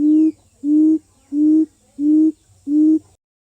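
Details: Lure quail calling: five deep, hollow hoots, each held briefly and rising slightly, delivered at a steady pace of about one every two-thirds of a second before falling silent.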